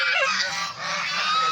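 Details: Farm geese in Tagaytay, Philippines, noisy whenever people come near, one charging and angry; loud harsh nasal honks with a brief dip midway, close and dominating.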